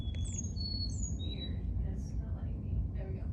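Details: Hybrid black-capped x Carolina chickadee song from the zone where the two species meet, played back during a talk: thin, pure high whistled notes, some level, some slurring down, then softer muffled notes, over steady low room hum.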